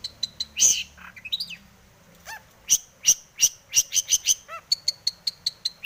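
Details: Long-tailed shrike song packed with mimicry, played to stir other shrikes to sing: high thin pips, a loud harsh rasp, a rising slurred phrase, soft whistles, then fast repeated sharp chirps and piping notes.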